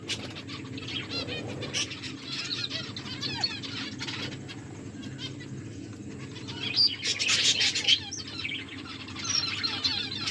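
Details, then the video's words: Several pet finches chirp while eating: a steady stream of short, high, twittering notes, with a louder burst of overlapping chirps near seven seconds, over a low steady hum and occasional wing flutters. "My beautiful finches eating and enjoying finches chirping sounds"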